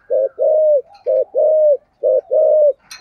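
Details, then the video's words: Steady cooing of a spotted dove in the giọng thổ style. Three couplets of a quick pulsed coo and a sustained falling coo, with a sharp tap at the very end. "cu gay giong tho cuc dinh/ chim cu gáy giọng thổ"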